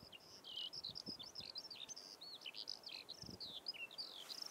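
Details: Two Eurasian Skylarks in the Biesbosch, Netherlands, landed on a dry patch of meadow beside a road and singing from the ground. A rapid, continuous, twittering warble of high chirps and slurred trills, with faint low rumbling noise underneath.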